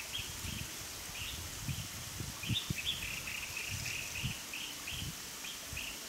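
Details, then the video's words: Collared finchbill singing in a tree in the mountains of Dapu Township, Chiayi County, Taiwan, on 27 December 2015: a steady run of short, bright chirping notes, several each second, over low wind rumble. "Collared Finchbill_ singing"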